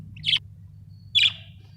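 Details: ['Budgies calling with two short, bright chirps about a second apart, the second slightly longer and trailing off, above a faint low hum.']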